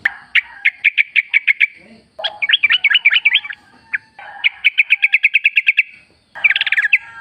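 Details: Sooty-headed bulbul song used to prompt caged birds into singing: four bursts of rapid, evenly spaced chirping notes, eight to ten per burst, with short silent gaps between them.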